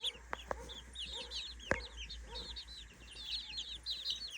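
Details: Three-week-old chicks exploring their new daytime playpen give a steady stream of high, downward-curving peeps, many overlapping, with a few sharp knocks and thumps early on.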